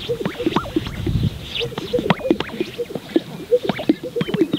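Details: Several Greater Sage-Grouse males display at a lek in Central Montana on a spring morning around sunrise in April 2022, making overlapping low, hollow, bubbling pops that repeat irregularly, with swishing sounds and faint thin whistles in the background.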